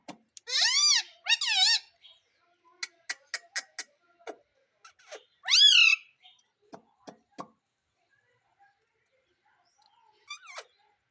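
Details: Indian ringneck parrot speaking "Mummy": two rough, wavering voiced phrases in quick succession, a run of sharp clicks, then one more loud, harsh, bending phrase; faint chatter near the end.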